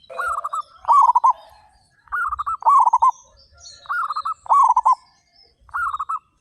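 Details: Among thirty-five loud local zebra doves, phrases of quick trilled cooing come in pairs, one bird answering another, repeating about every two seconds. Faint high twittering sounds behind them.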